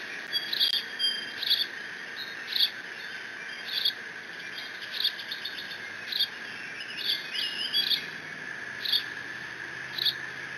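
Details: Decorah N2B nest camera, 30 June 2017: a young bald eagle mantles a fish the male brought and squees. Bursts of shrill, piercing notes come in quick clusters, some doubled, against constant camera hum.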